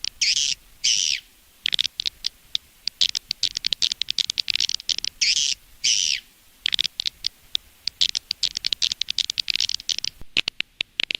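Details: Edible-nest swiftlet lure sound from Indonesia, played outside a nest house to attract swiftlets: rapid dense bursts of high chattering twitters, broken by brief gaps, repeating through the recording.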